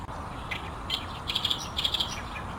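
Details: Lively oriental reed warbler song from a reed bed by a runway at Fukuoka Airport, Japan: short scratchy notes, then clustered grating chirps repeated several times in fast succession over low steady noise.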